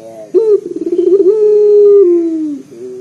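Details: A local Barbary dove coos loudly and deeply to draw other birds into calling. A sudden onset leads into a quick fluttering series, then a sustained low hooting tone that droops at the end, followed by a quieter short note.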